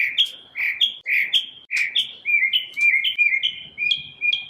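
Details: One bird singing a morning song: an unbroken stream of bright chirps alternating between a higher and a lower pitch, steady and rhythmic throughout.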